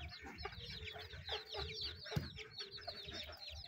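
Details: Chickens feeding: quick high descending peeps in a near-constant chorus, a faint steady tone in the middle range, and low scratching and pecking noises.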